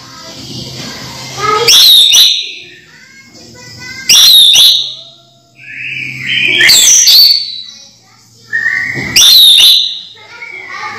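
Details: A caged orange-headed thrush repeats loud, forceful phrases about every two and a half seconds. Each phrase has rising whistles, with softer notes in between. The song is meant to stir idle thrushes into song.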